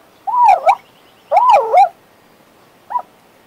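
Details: Pet male Western Australian magpie warbling: two looping, wavering whistled phrases near mid pitch, each about half a second, separated by a pause, then one short rising note at the end.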